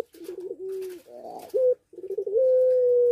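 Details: A breeding-condition puter pelung dove in an aviary in Situbondo gives a rolling trill of short notes followed by a long, flat, clear coo.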